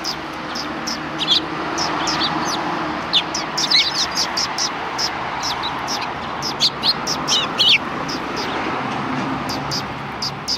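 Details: Sparrows on a shrine approach road in Japan, December 13, 2019: scattered high tweets, some doubled, repeated irregularly against steady street noise and a hint of distant voices.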